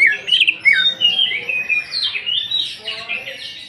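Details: Greater green leafbird song used as a lure to provoke other birds into singing: loud, rich whistled phrases that slur up and down, dense and fast-changing warbling with no pauses.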